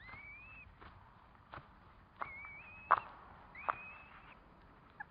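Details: Curlew around a nest with four chicks hatching, giving three drawn-out whistles that rise and level off. Irregular knocks and rustling from nearby movement are heard between them.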